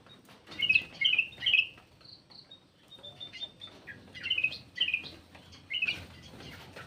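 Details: Black-crested bulbul giving a lure call: clusters of sharp, bright chirps and short whistles repeated in uneven bursts, with a couple of soft sustained tones in between, light background hiss.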